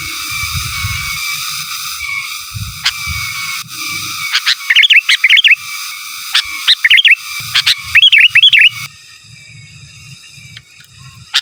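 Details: Sooty-headed bulbul singing in the energetic giras and menggaruda style for master training: scattered sharp notes building into fast bouncing whistled phrases around the middle, then the song stops, leaving a low rumble and faint hiss.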